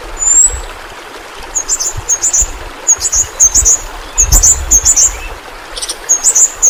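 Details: Flowerpecker known as pentis pelangi, used to train caged birds: one thin drawn-out whistle, then series of very high buzzy twittered notes in paired bursts, with faint low background thumps.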